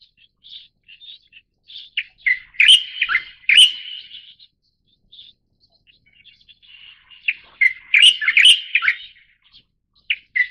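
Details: Light-vented Bulbul of Taiwan's endemic subspecies Pycnonotus sinensis formosae repeating lively songs: loud clusters of slurred, whistled notes in two main bursts, with soft chirps and brief quiet gaps between them.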